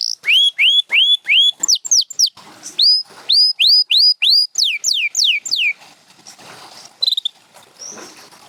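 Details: Canary song from a champion bird: a run of repeated rising whistled notes, several sharply falling slurs, more rising notes and descending slurs, then fading to faint background sounds with a few soft notes.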